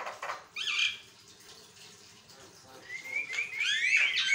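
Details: Javan myna (jalak kebo) singing continuously for training other mynas; harsh rasping notes, a pause, then a rising whistle swelling into loud squealing, grating phrases.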